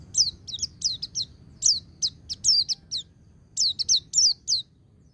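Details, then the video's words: Rapid, dense run of shrill descending whistles from a white-eye in ngecir sambung ngalas style, meant to rouse untrained caged birds to sing; notes follow in quick clusters with a short break midway, low hum behind. "Suara Burung Pleci Ngecir Sambung Ngalas 1234 Ketukan"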